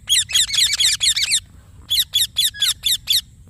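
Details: Rapid clustered squeaky screeches from an Indian ringneck parakeet, a tight burst of overlapping notes, a pause, then six separate strident chirps at a steady pace.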